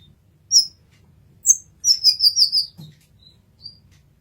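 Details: Brown-throated sunbird, kept as a masteran recording, giving isolated high, thin chirps followed by a quick rattled burst of five piercing notes, then softer trailing whistles; faint low background hum.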